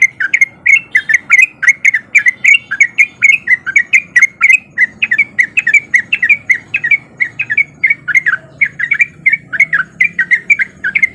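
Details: Sooty-headed bulbul male in breeding mood, recorded as a lure to provoke other bulbuls to answer. A long, unbroken chatter of bubbly chirping notes carries on at a quick, even pace, with a faint low rumble beneath.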